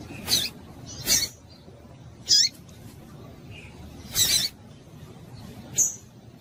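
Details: Calls of a female double-collared seedeater, played so that males start singing: brief high chirps, some dropping sharply in pitch, spaced irregularly about one to two seconds apart, five notes over light background hiss.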